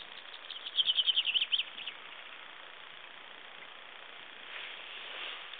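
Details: Common chaffinch singing at Broadstones Reservoir on 18 March 2011: a quick series of high, sharp notes lasting just over a second, then a long faint stretch of outdoor background hiss.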